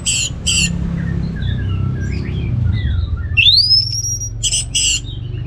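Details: Orange-headed thrush in ngeplong gacor song, used as sound therapy for birds at home that sing little. Paired sharp chips open and close a long, clear rising whistle, with faint softer notes in between.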